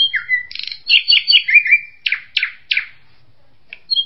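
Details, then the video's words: Kingfisher giving a rapid run of sharp, high chirps and harsh rasping notes, then a pause before a few more brief calls, with no other sounds. "SUARA BURUNG TENGKEK"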